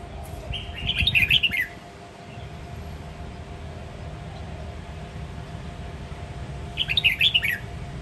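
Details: Red-whiskered bulbul of the Sông Kon line from Quảng Nam, Vietnam, singing in many voices in the ché nẹt style: two short bursts of quick chattering, warbled notes about six seconds apart, over steady low background noise and hum.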